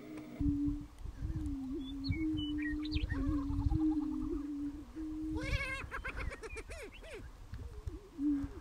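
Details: Prairie chickens displaying on a spring lek, strutting to attract females, recorded from a car blind: low droning hoots underneath sudden loud cackling and whooping calls with rising and falling squeals, plus a burst of harsh chatter midway.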